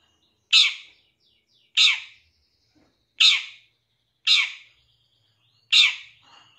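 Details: Long-tailed shrike lure recording from a 2023 champion bird, meant to make shrikes sing and become agitated; five loud, harsh, grating notes spaced roughly a second or more apart.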